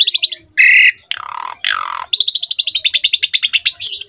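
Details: Asian pied starling in energetic song for youngsters to copy. A short trill and harsh squawks lead into a long run of rapid, evenly pulsed rattling notes.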